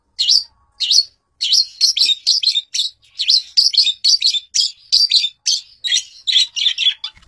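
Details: Long-tailed shrike, a fighter bird, gives a rapid run of harsh, scratchy chirps and squeaky notes, several per second with brief pauses, in an otherwise quiet setting.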